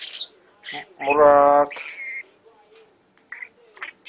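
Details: A pet Budgerigar chatting with its owner gives short scratchy bursts of chatter and one buzzy, nasal, speech-like phrase.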